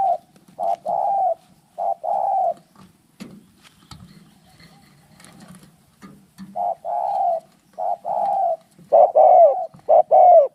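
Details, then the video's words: Spotted doves fighting: repeated low, hoarse cooing phrases in bursts, some short and some drawn out, with a quieter stretch mid-clip filled with sharp clicks and knocks before louder, rougher coos return near the end. "เสียงนกเขาใหญ่ ต่อสู้กัน"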